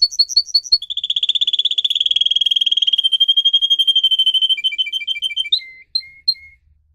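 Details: Pet canary singing in song training: brief clear whistled notes, then a long rapid rolling trill that slows into a string of lower separate chirps and a few spaced whistles fading out near the end.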